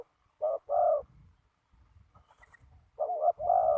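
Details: Spotted dove, a young male, calling during ground decoy trapping in strong wind. Two loud, low, hollow coo pairs, each a short note then a longer drawn-out one, separated by a quiet pause with light rustling.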